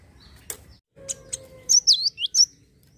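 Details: Java sparrow song intended to trigger singing in other birds: a few dry clicks and a low hum, then four quick high looping chimes.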